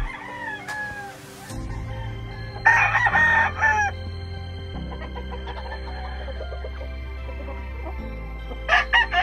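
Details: Grey Kelso Albany chicken on a farm, giving loud, harsh crowing bursts with stacked harmonics, one early drawn-out phrase and a strong burst near the middle, plus a short final burst, over steady background music with low sustained tones.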